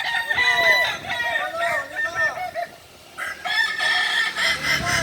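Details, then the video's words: Kukuak Balenggek roosters at a group training session in Ampang Kualo, Kota Solok: several long, multi-syllable crows with stepped, arching notes overlap, with clucking and people talking in the background. "latihan bersama ayam kukuak balenggek (akb)"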